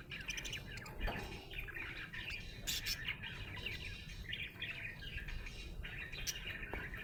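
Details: A happy budgerigar (Melopsittacus undulatus) chatters in a steady stream of scratchy chirps and warbled notes over a low background rumble.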